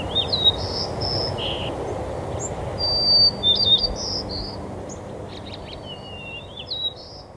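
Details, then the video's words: Late-November White-crowned sparrows in a cemetery, 25 November 2020: scattered high chip notes and brief thin whistles at uneven intervals, some overlapping, over a constant low hum of distant traffic. "White-crowned Sparrows"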